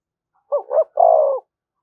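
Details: Spotted dove provoking call, one phrase: two short rising coos run together, then a longer steady throaty coo ending abruptly.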